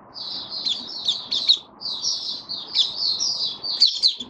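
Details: A white-eye in a cage, in open song on 23 March 2022 during warm humid weather: softer, high, smooth warbled phrases in short bursts, with a low hiss underneath.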